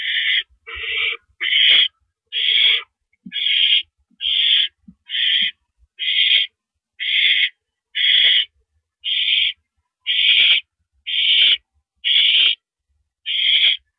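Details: Owl nest late evening, April 5, 2012, as a mouse arrives: a long, steady series of about fifteen hoarse, breathy screech-hisses, each near half a second, repeated roughly once per second, with light scuffling sounds.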